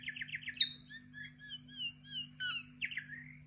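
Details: Common myna song with quick buzzy chirps followed by a series of clear whistled, arching notes and a final drawn-out whistle, a constant low electrical hum underneath.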